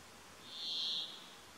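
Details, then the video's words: A Brambling sings: one drawn-out, nasal, wheezy buzz lasting under a second, steady and fairly high, over quiet background hiss. "Brambling Song. Bergfink sång läte. Järripeippo ääni laulaa. Bjørkefink sang lyd."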